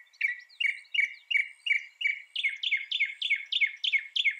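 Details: Mockingbird repeating a short downslurred chirp about three times a second, then shifting to a higher, brighter version of the same rapid repeated note.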